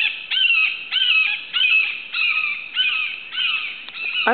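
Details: A young red-shouldered hawk perched on a twig over a cleared lot calls to its nest-mate: seven loud, harsh, downslurred kee-aah screams, about one every 0.6 seconds, ending with a click. Near Suwannee River State Park, Florida, July 2011.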